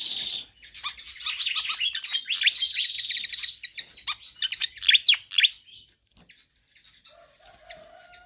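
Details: Pied fantail song used as a training or lure track for other birds: a rapid, energetic run of high chirps and sharp down-slurred whistles for about six seconds, then quiet with faint scattered ticks.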